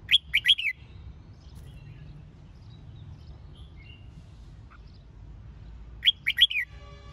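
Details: Red-whiskered bulbul song for training birds for singing competitions and firing up newly caught birds: two short bursts of bright, bouncing whistled notes, one at the start and one near the end, with quiet between.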